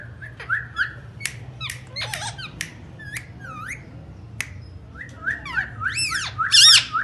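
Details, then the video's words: Talking Indian ringneck parakeet producing a busy jumble of sharp clicks, snapping ticks and brief upslurred chirps, ending in a louder harsh rasping squawk; low steady hum in the background. "Talking parrots real voice ringneck"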